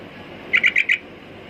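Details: Sooty-headed bulbul uttering one quick burst of four bright, slightly squawky chirps in under half a second, over faint low background noise.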